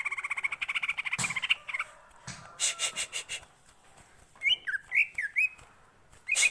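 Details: ['Caged green leafbird singing ngentrok style, used as a lure to prompt singing: rapid repeated whistled notes, then sharp broadband bursts, then quick slurred rising and falling whistles.']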